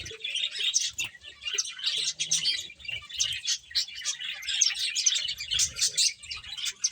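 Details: Finches feeding together make a steady chatter of high, rapid chirps in rhythmic waves, many birds calling over one another.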